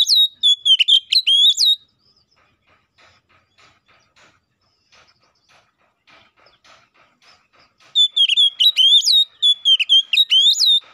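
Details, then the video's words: Caged white-rumped shama (kacer) singing in ngeplong style, used to call a rival and prompt another shama to sing: loud clear whistled phrases with sharp rising and falling notes in two bursts separated by a quiet gap. "KACER GACOR NGEPLONG❗MEMANGIL LAWAN PALING AMPUH BUAT PANCINGAN KACER BIAR CEPET GACOR!"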